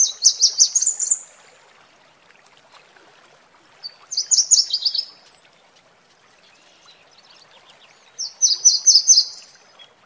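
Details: Red warbler in nature with waterfall sound: three rapid, high, sparkling trilled phrases roughly four seconds apart, each about a second long and ending in a thin higher note, against a faint watery hiss.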